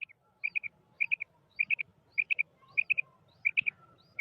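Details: Repeated calling of a female quail: seven crisp groups of three short high whistled notes, evenly spaced about every 0.6 seconds, clear against a quiet background with slight low murmur.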